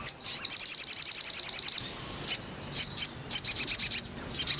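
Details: Therapy audio of a crimson sunbird to encourage singing: a fast, shrill trill of about fourteen notes lasting over a second, then scattered high chirps and a short burst of quick notes.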